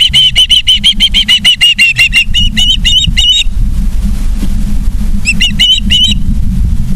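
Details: Osprey at a nest in Charlo, Montana, on 3 September 2023 at 18:54: a fast series of high, piercing chirped whistles, about three per second, breaking off midway and resuming briefly near the end over a steady low rumble.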